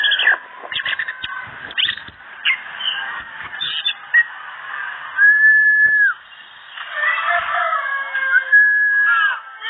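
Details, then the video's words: An orange-headed thrush sings intensely and nonstop, an unbroken varied run of rich warbled and scratchy phrases broken by a few clear, slurred whistles held about a second each. "Burung Anis Merah Teler Gacor Konslet"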